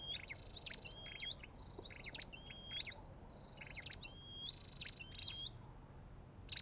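Olive-backed tailorbird giving high, thin whistled notes that slur upward, repeated about once a second among sharp chipping notes, over faint background hiss.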